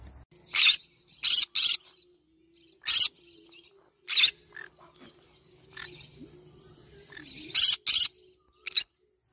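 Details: Yellow-sided conure in the morning giving harsh, raspy screeches in short bursts, some paired, about seven calls spread over nine seconds, with faint soft chatter between them.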